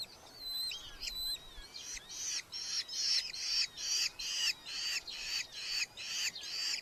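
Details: Red-footed falcons at a nest box in a large breeding colony in Hungary, five chicks present, July 2025, with parents bringing beetles: a few thin whistled notes, then harsh, grating squawks repeated about every half second.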